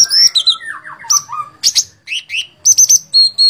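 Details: Lively sooty-headed bulbul of fighter type giving fast, liquid whistled phrases that slide downward, mixed with bright, high clipped notes and short repeated chirps in a busy burst.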